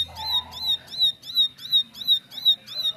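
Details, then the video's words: Bar-winged prinia answering at once after being silent, joining rapid 'nembak' song: seven or so high, clear, bent notes spaced evenly, about three each second, with a soft lower warble near the start. "Ciblek Bisu Langsung Nyaut Ikut Nembak Nembak"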